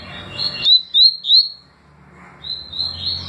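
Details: Double-collared seedeater song in tui tui and deputado styles: three loud, clear upslurred whistles about a third of a second apart, followed by a softer warbling phrase.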